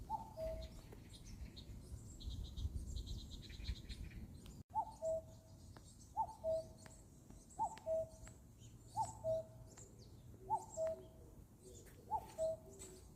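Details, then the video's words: Common cuckoo calling in a forest: a clear two-note cuckoo call, high then lower, repeated about every one and a half seconds, seven or eight times. Twittering small birds and leafy background noise fill the first few seconds. "#뻐꾸기소리 #숲속"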